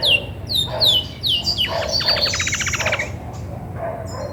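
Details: Female Belgian canary, grey and white, singing as she readies to brood: a few high falling whistles, then a dry rattling trill lasting about a second, and quieter notes after.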